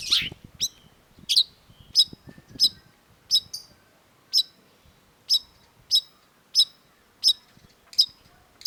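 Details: Long-tailed shrike (Lanius schach) gives sharp, high, metallic chip notes, repeated steadily about every two-thirds of a second, with faint low thumps underneath.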